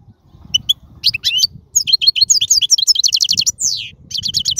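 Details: Wild European goldfinch in full song, a recording used to teach chicks: fast, continuous tinkling twitter of rapid high notes and quick slurs, with a swooping downward whistle partway through over soft low background noise.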